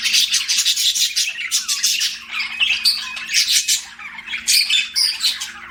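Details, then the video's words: Busy pet budgerigar chirping, harsh squawky notes and rapid scratchy trills in quick bursts, several voices overlapping, with a soft steady hum behind. "BUDGIE CHIRPING SOUNDS"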